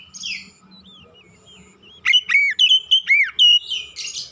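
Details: Oriental magpie-robin lure song to stir other birds into singing: soft sliding whistles over a faint low hum, then a loud series of arched whistled notes repeated quickly, ending in a harsh burst.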